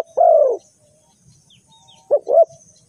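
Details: Spotted dove call used as a lure for bird trapping: one drawn-out, low, soft coo falling slightly in pitch, a pause of about one and a half seconds, then two short rising-and-falling coo notes.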